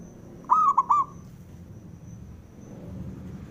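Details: Male zebra dove call meant to stir other doves to sing: a short burst of three soft cooing notes lasting about half a second, followed by quiet background hiss and a constant thin high tone.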